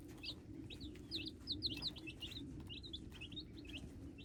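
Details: Brood of hybrid chicks calling: bright, quick cheeps tumble in clusters, some swooping up and down, over a constant low droning background.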